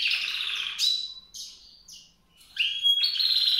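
A white-rumped seedeater sings a quick, high, jumbled warble of buzzy trills and clear whistled notes, pausing briefly before a bright ringing burst.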